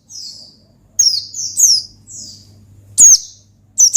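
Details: Oriental white-eye singing gacor ngalas to call a rival: soft high whistled phrases followed by sharper louder falling chirps near the end, over a steady low hum.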